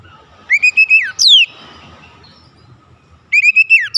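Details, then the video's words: Oriental magpie-robin used as a lure to make other magpie-robins sing: a steady whistle ending in a downslur and a sharp falling note. After a quiet gap the same whistle begins again. "PANCINGAN KACER ANTI BISU mancing Kacer lain cepat emosi dan gacor"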